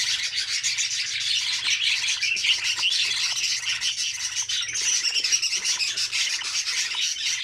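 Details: Budgerigar chicks in an opened nest, feeding one another: a dense, continuous wash of high, raspy chattering and squeaky calls from several young birds at once, with no pauses, over a faint low hum.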